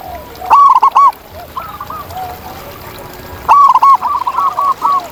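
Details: Local zebra doves singing in the wild: a sharp opening note followed by quick rolling coos, a quieter middle stretch of distant calls, then another loud rippling phrase.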